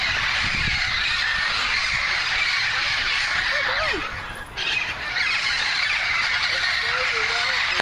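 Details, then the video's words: Wild parrots, a flock of over 100 perched in a front-yard tree in Burbank, make a dense, continuous wall of screeching chatter, with a few clearer squawks standing out. "Burbank Parrot Noise!"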